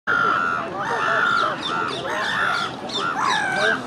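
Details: Pair of Black-headed gulls in courtship, wings held out and bowing to each other, giving harsh, drawn-out moaning calls that rise and fall, repeated almost continuously and overlapping.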